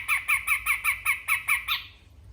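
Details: Sumatran grey-cheeked bulbul giving a short besetan burst: eight rapid, harsh squawking notes in even rhythm, ending on a slightly higher, drawn-out note before falling quiet.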